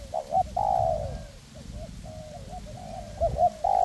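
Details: Decoy spotted dove in a forest, paired with a second decoy to draw in wild doves for trapping; loud, clear drawn-out coos alternate with quieter, shorter notes.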